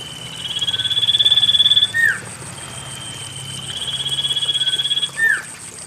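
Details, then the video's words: Common iora song offered as a lure to get lazy birds singing; two rapid rattling trills, each about 1.5 seconds and ending in a falling slurred note, separated by a short pause, with constant high background hiss. "Pancingan cipoh malas bunyi"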